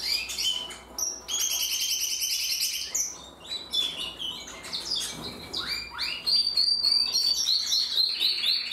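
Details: Multiple canaries in song, pouring out fast pulsed trills and sustained rolling tours of high notes, pausing briefly near three seconds before resuming with sharp chirps and a thin, piercing whistled trill.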